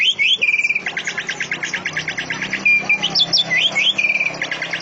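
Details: Greater green leafbird song imitating canary, cililin and lovebird in a tight rapid delivery: a fast series of sharp chirps punctuated by brief level whistles and quick upward flicks.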